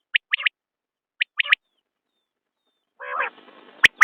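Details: Common quail: two whistled triplets, each a clipped note and then a rapid pair, a silent gap, then a harsh buzzy rasp and a final sharp note.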